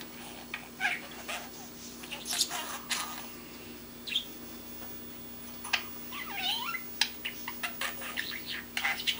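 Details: A baby male budgerigar learning to talk babbles in scratchy clicks, brief chirps and a warbling, wavering squiggle of notes, with near-words, over a steady low electrical hum.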